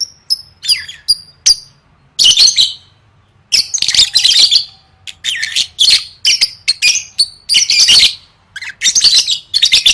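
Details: Lovebird song for competition training: opens with a few clean high whistled notes, then long stretches of loud, harsh chattering mixed with sharp chirps.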